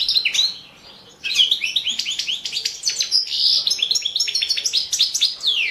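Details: Balkan goldfinch, Carduelis carduelis balcanica, singing in a 2017 world championship song competition entry; after a short pause, a fast tumbling twitter of high slurred chirps, buzzy trills and liquid notes.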